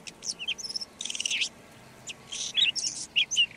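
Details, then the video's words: Red-backed shrike singing: a high, scratchy warble of short buzzy bursts and chirps in two clusters, separated by a brief pause, against a quiet background. "Red backed Shrike · Lanius collurio - song"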